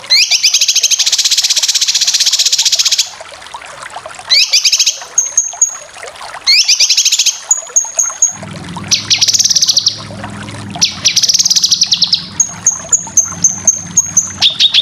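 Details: Continuous besetan from a cucak kinoy, a masteran for training contest birds: long dense rattling trills alternating with thin sustained whistles and short chattering bursts, a low hum entering midway.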